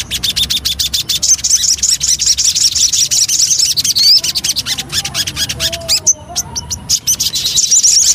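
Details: Javan cochoa lure song, continuous high busy twittering with rapid repeated notes and an occasional clear whistled upslur.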